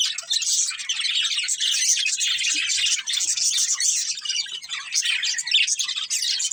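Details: Chattering budgerigars, a breeding pair, pour out steady high scratchy chirps and squeaks in a nonstop, overlapping warble.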